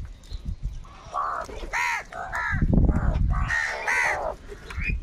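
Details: Angry crow calls during a fight over food: a run of hoarse, nasal caws, some overlapping, with a burst of low thudding noise in the middle.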